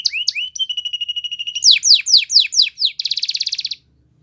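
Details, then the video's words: Belgian canary singing a varied song: rising whistled notes, a steady held whistle, a run of loud descending slurred notes, then a fast buzzy trill before silence. "Belgian Canary Song That Fascinates Everyone!!"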